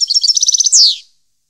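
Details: European goldfinch song recorded in 2015: a rapid string of bright tinkling notes leading into a steady pulsed trill, ending in a loud, downward-slurred buzzy note.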